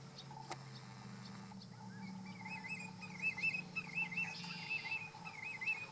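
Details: Laughing gull at Oyster Creek, New Jersey, Forsythe NWR: a run of high, wavering notes in quick succession, rising to a louder stretch near the end, over a steady low hum.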